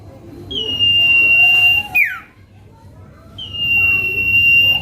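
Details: Lure song of a Common Iora (cipoh kacat), played to provoke rival birds: a drawn-out pure whistle held at one pitch, closing with a steep downward flick, then after a brief gap a second long whistle starts.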